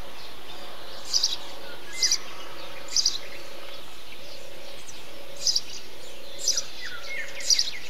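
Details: A Eurasian tree sparrow calls within a bee-eater colony: sharp chirps spaced roughly a second apart, six in all, over soft background birdsong and a low steady hum.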